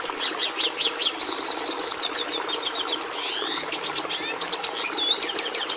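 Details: Red Siskin song, described as complex with a great variety of notes though not very musical, sung without pause for minutes and almost identical to the Hooded Siskin's. Here: fast high twittering with chattering trills, buzzy downslurred sweeps midway, then sharp chips.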